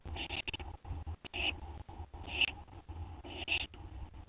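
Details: Owl at night, 2:56 AM on 10 September 2011, finishing a gopher brought by another owl; rough, hissy screeching bursts repeat about once a second over a steady low hum, with faint rustling between calls.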